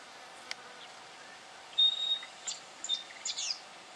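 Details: Black Honeyeater in Victoria, Australia, October 2011, giving a thin, steady high whistle, then three quick bursts of short, very high chirping notes over faint background hiss.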